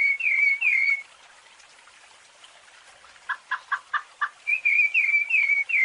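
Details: Rufous-bellied thrush, fluted song for training young birds: two falling whistles, a pause, six short hollow lower notes, then a renewed series of quick sliding whistles.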